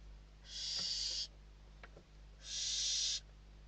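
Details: Begging barn owl nestlings, Spain, 21 December 2023, fighting over a food delivery: two drawn-out breathy screeches of nearly a second each, about a second apart, over a quiet nest background with a faint tap.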